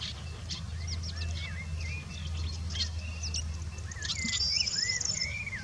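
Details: Woodchat shrike, local name bouares or boulhenni, at Chekfa in Jijel: varied slurred whistles, some rising and some falling, mixed with sharp high flicks and chattering notes, above a steady low-pitched drone.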